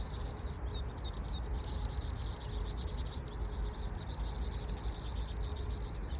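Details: Bird song: thin, wavering whistled phrases, high-pitched and repeated with short gaps throughout, over a constant deep rumbling background noise.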